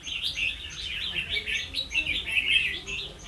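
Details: Red-whiskered bulbul used as a decoy for trapping, recorded 16 October 2016: busy overlapping chirps and warbled notes, with a steady high ticking repeated about three times a second in the background.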